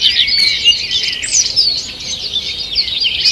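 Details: Brief burst of morning forest birdsong from 2 June 2023, rapid high twitters and thin whistles from several birds at once.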